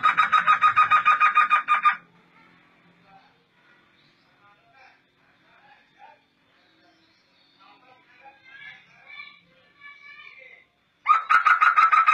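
Black laughingthrush giving loud, harsh, rapidly repeated chattering bursts at the start and end, with faint, thin twitters of other small birds in between.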